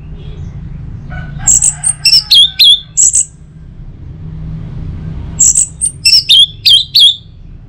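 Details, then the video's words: Orange-headed thrush song, used in the morning to prompt other birds to sing: two bursts of quick, piercing high whistles and twisting slurred notes, separated by a few seconds of quiet, over a steady low background hum. "Saatnya Buat ANIS MERAH NGEPLONG Gacor dirumah. Pancing dengan suara burung ini baik pagi hari."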